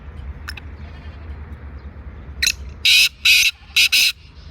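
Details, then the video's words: Black francolin in Sindh, Pakistan, giving a loud, harsh, grating call of four rasping bursts in quick succession, after a few quiet seconds of faint background. "Kala Teeter sindh Pakistan"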